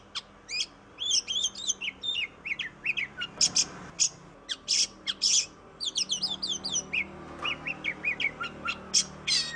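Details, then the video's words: Oriental magpie-robin in energetic song as a singing prompt for other magpie-robins: clusters of high sharp chips and twitters, several loud grating buzzes in the middle, then more quick warbled notes and rasps. "Suara burung kacer Kacer ngoceh Kacer gacor"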